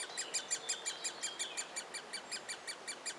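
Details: Nestling great spotted woodpecker begging while fed inside a willow trunk, Biesummerbos, Delfzijl: rapid series of high, raspy chirps, nearly three per second, evenly paced with a faint thin whistle running beneath.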